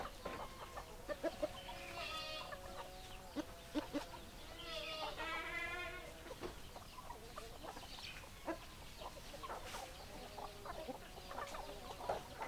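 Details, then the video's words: Hens clucking and squawking: loud, harmonic, drawn-out calls near two and five seconds, with quieter, irregular clucks scattered throughout over a soft background hiss. "Chicken Sounds Noises Hens Clucking Roosters Crowing"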